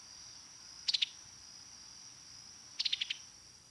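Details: Summer tanager (Piranga rubra) giving two bursts of its staccato 'pi-tuck' call note, quick clicky notes run together, about two seconds apart, over a steady high hiss.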